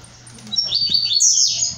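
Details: One brief, high-pitched buzzy burst from a brown-plumaged blue-black grassquit, its notes stepping upward into a thin sizzling finish, with low hum below.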